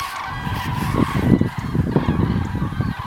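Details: A flock of common cranes migrating south on 9 November 2014, as winter approaches, gives overlapping, honking, trumpet-like calls in a steady stream over a low rumble of wind.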